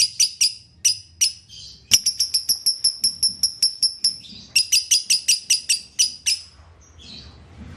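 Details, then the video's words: Lovebird played so a caged bird resumes singing: a few spaced shrill chirps, then fast regular runs of high ringing notes in two bursts, ending in quiet rustling. "Putar Suara ini agar LB anda akan kembali Bunyi"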